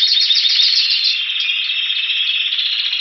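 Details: A Spanish Timbrado canary in Anavissos, near Athens, Greece, recorded February 2016 while awaiting spring, sings a continuous, bright, high song of rapid rolling trills, about three or four notes a second, with no other sounds.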